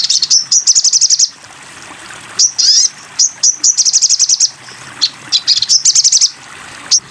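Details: Sogon bird singing for a songbird training recording: rapid high-pitched chattering trills in bursts, mixed with sharp buzzy sweeps and short ticking notes, delivered almost without pause.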